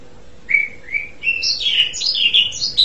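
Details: Asian pied starling song opening with three clear, spaced, level whistles, then breaking into a quick run of higher slurred and buzzy notes.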